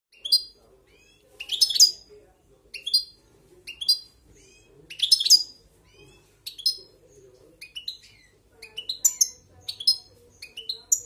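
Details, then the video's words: European goldfinch held in the hand, 'marcando': bright, high, chirping bursts in short clusters roughly every second, each with sharp rising and falling notes, separated by brief pauses; a faint low murmur sits underneath. "Jilguero Marcando en la Mano"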